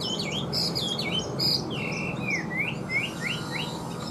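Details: Clear whistling by a kept Chinese hwamei of large build: fast, varied notes give way to a series of loud, sharply falling slurs repeated roughly every half second over faint hum.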